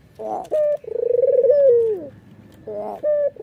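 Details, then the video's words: Laughing call of a red-eyed white Barbary dove while nodding: rasping opening, short steady hoot, then a drawn-out pulsing coo that slopes down, with the next phrase starting. "suara puter putih mata merah ini ngangguk dan tertawa"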